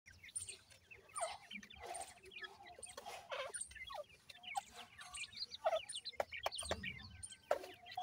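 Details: Young francolin chicks being reared in care, giving many thin, high, downward-slurred peeps in quick overlapping series, with scattered clicks and tapping noises and some louder bursts throughout.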